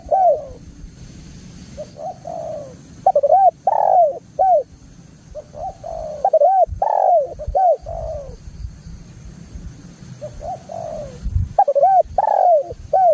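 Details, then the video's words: Spotted dove lure recording, played loud to draw other doves into answering and to train captive doves: low cooing phrases of hooked notes in bursts of three to five, with short silent gaps and faint steady background hum. "SUARA BURUNG TEKUKUR ini Pancingan TEKUKUR GACOR suara NGALAS 100% MANJUR"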